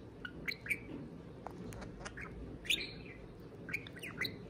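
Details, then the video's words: Parakeet kept as a pet sings at a beer can: paired bright chirps and downslurred whistles in short clusters about a second apart, with soft clicks between. "Pixel the Parakeet Talks + Kiwi serenades a can of beer"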